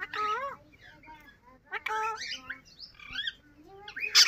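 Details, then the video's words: Pet yellow ringneck parrot speaking different words: clear, tonal syllables with wavering, voice-like pitch glides in short phrases separated by pauses, ending in a harsh noisy burst. "yellow Ring neck Toking different words speaking parrot"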